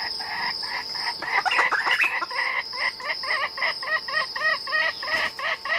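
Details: Red junglefowl coming in to a decoy during wild fowl trapping: a rough, mixed burst of notes, then a steady run of short, arched, clucking notes about four per second, over a constant high, shrill cricket drone.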